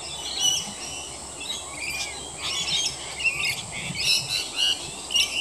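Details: A group of rainbow lorikeets having a bath in roof gutters, squawking harshly in rapid, irregular bursts, roughly two a second, with grating, noisy notes overlapping as the birds call over each other.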